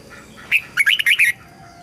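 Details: Red-whiskered bulbul phrase for song training: a rapid run of five liquid, warbled whistles in under a second.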